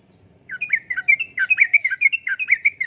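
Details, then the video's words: Yellow-vented bulbul in lively 'uplik-uplik' style song, used as a lure and tutor for caged birds: after a quiet start, a rapid run of bubbly, warbled whistled notes, steady and repeated without pause. "Kicauan Suara Burung Trucukan Gacor Uplik Uplik,Pancingan Trucukan Gacor,Masteran Trucukan"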